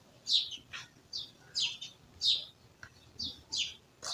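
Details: Village bird chirping: crisp high chirps repeated about every half second in an uneven series, some paired with thin downward-slurred notes, over faint background murmur.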